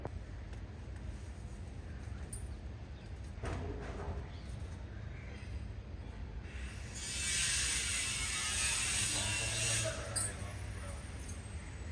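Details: Steady low rumble fills the background while mechanical clicks and a ratchet-like rattle come and go. A broad hiss swells after the midpoint, and no clear animal calls can be picked out.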